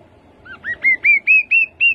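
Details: Rufous-capped babbler song: a steady series of seven clear upslurred whistles, climbing gradually in pitch, about four per second.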